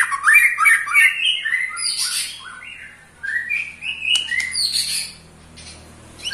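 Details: Eight-month-old white-rumped shama giving rattling trills that provoke other shamas; rapid chattering bursts and buzzy slurred phrases, a brief pause, then more high trilled notes fading out.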